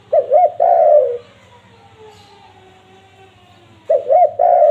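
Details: Spotted dove call used to lure wild doves: two short rising notes, then a long, drawn-out descending coo. The phrase is heard twice, about four seconds apart, with quiet between.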